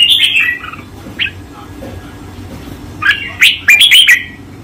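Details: Red-whiskered bulbul master song used for training caged birds: two bursts of bright, warbled whistled phrases, the first descending and the second a quick rising-falling run of notes, over a low steady background hum.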